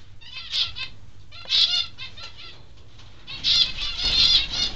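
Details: Peaceful doves flapping in an aviary: four quick, rustling wingbeat flurries, roughly one each second, with a low hum of background noise.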